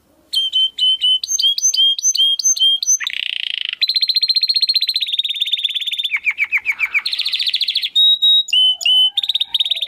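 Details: Tutor recording of a vigorously singing pet canary for competition training: varied tours of repeated high chirps, a buzzy rattle, a long fast trill, and a group of descending notes, sung without pause for ten seconds.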